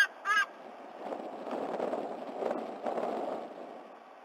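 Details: Black currawong visiting a white-bellied sea-eagle chick at its nest, Sydney Olympic Park, Australia, 26 October 2020, 11:55 a.m.; the two vocalize together. One short, sharp harmonic call opens, then soft rustling and steady background noise.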